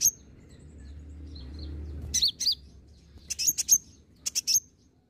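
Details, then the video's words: Olive-backed sunbird, locally called kolibri ninja, recorded as a lure to make others sing: a thin high tweet at the start, then clusters of sharp, very high chirps in quick bursts over a faint low hum. "kolibri ninja (konin) ijoan gacor pancingan ampuh konin bahan langsung nyautt"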